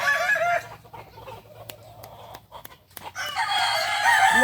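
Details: Balenggek rooster crowing at a practice contest in Ampang Kualo, Solok: a crow trails off at the start, then a quiet stretch with sharp clicks and knocks, then a loud, rich crow begins again.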